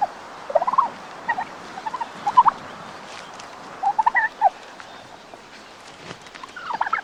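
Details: Angry male domestic turkey in a farmyard, red wattle swelling as he prepares to battle a rival for leadership of the group: rapid warbling gobble bursts in several clusters, pausing, then gobbling again near the end.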